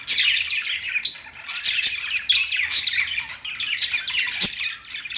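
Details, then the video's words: Several pet budgerigars singing on a perch: a continuous, busy stream of high chirps, squeaky warbles and short scratchy notes overlapping without pause, with a faint low rumble underneath. "budgies singing on perch"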